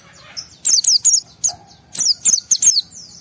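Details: Fired-up white-eye singing to provoke other white-eyes into song; short, loud, high downslurred chirps delivered in quick pairs and triplets over a quiet background.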